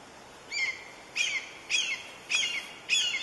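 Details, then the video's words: Red-shouldered hawk chicks, two in the nest, as a parent brings prey to feed them; thin, high, slightly downslurred whistled notes repeated about twice a second, over steady background hiss. "Parent Feeding Two Hawk Chicks in nest"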